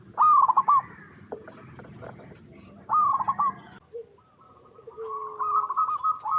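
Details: A local zebra dove's cooing, played to lure other doves into calling: two loud staccato trilled bursts with rolling coos, then a softer drawn-out wavering coo, over faint background murmur.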